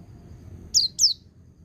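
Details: White-eye in the ngecir and ngalas song style, used as training audio for young birds: two sharp, high whistled notes, each sliding quickly downward, given close together over a low background hum.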